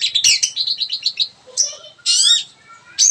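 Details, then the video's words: Long-tailed shrike song: a rapid trill of pulsed chirps, then a sharp squeak, a brief low warble and a loud scratchy, whistled burst. "kicau an cendet"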